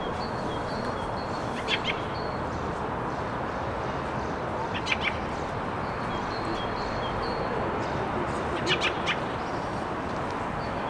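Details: Fieldfares scouting territory, recorded on a RODE VideoMicro: dry, harsh chattering bursts in short clusters at about two, five and nine seconds, with thin high tonal notes between, over a steady broad background hiss and low rumble.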